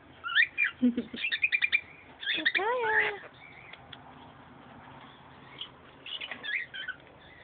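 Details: Indoor pet singing bird giving fast chattering twitters and whistles, with a lower descending slurred note mixed in, then softer scattered chirps; room hum in the background.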